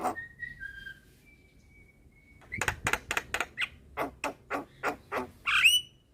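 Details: Black-winged myna singing in a recording meant to train cage birds: it opens with thin, drawn-out whistles, then a steady series of loud, harsh, clipped notes about three per second, and ends on a sharp rising whistled squeal.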